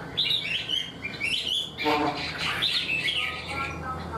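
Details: Caged wild-caught Chinese hwamei, described as quick to sing and delivering its full song like a tame bird, pours out loud, varied whistled phrases, rising and falling slurs in quick succession with a brief louder burst midway.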